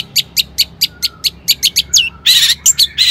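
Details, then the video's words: Long-tailed shrike singing as a lure for other shrikes: evenly spaced sharp high chips speeding up, ending in loud harsh grating bursts. "Kicau cendet gacor AMPUH EMOSI TINGGI, pancingan CENDET AGAR BUNYI"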